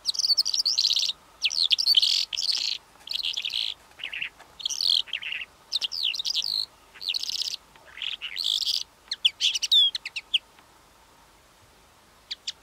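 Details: Calandra lark, known for melodious singing and for singing in flight, pouring out a sustained high-pitched medley of buzzy trills, whistles and chirps in phrases about a second long, ending with sparse clicks.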